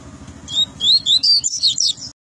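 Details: Tui-tui song of a double-collared seedeater, Rio de Janeiro: a brisk run of high clear whistles, rising slurs quickening into a rapid twittering end, over faint low hum.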